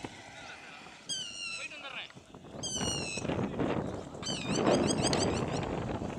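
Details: Three yellow-wattled lapwings calling in alarm while flying: sharp, high, rapidly repeated notes in fast bursts of several, with loud broad noise building in the background.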